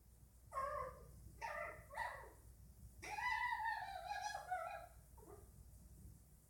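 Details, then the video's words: Indian ringneck parakeet kept at home, chattering: a few short nasal calls, then a longer wavering, drawn-out harmonic note, over a faint background hum. "Indian Ringneck making noises"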